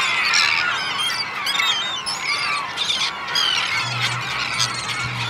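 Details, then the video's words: Thousands of gulls feeding on a Danish beach in mid-August, herring and black-backed gulls among them with terns mixed in; a continuous chorus of harsh squeals, yelps and laughing calls layered over each other. "Gulls feeding."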